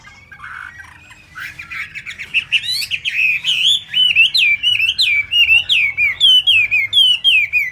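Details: Chinese hwamei whose feathers are still not dry, singing with fast beak speed: a soft lower note, then a long rapid chain of bright repeated whistled warbles, steady and rhythmic, about two per second.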